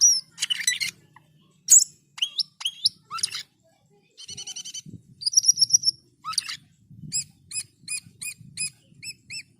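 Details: Asian pied starling, a bird in full song: harsh buzzy bursts, hooked whistles, a steady chattering run, a rising whistled phrase, then a series of evenly spaced high squeaky notes.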